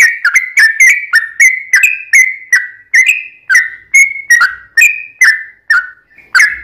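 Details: Yellow-vented bulbul in long rapid 'ropel' song, used to get other birds singing: continuous bubbling whistles, about two per second, each note bright and slightly descending.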